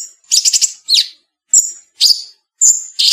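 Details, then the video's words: Cucak cungkok bulbul, cleanly edited song: a stuttering harsh chatter, a down-slurred whistle, then sharp whistled notes and rasping chips spaced about half a second apart. "Cucak Cungkok Speed Rapet, Pedas, Cadassss..!!"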